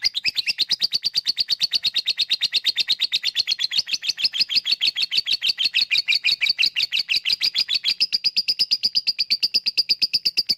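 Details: Sustained ngekek chatter of a lovebird, a lure for birds that are slow to sing; a rapid, unbroken stream of buzzy, harmonic pulses for ten seconds, thinning toward purer high ticks near the end.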